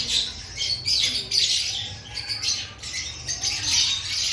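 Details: Lovebirds in an aviary before the breeding season, giving harsh, buzzy squawks and chatter in repeated bursts, several birds calling over one another.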